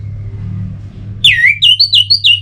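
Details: Orange-headed thrush, a sound used to get captive birds singing: after a moment of low background hum, a bright phrase of descending and rising whistles, four or five fast notes in a row.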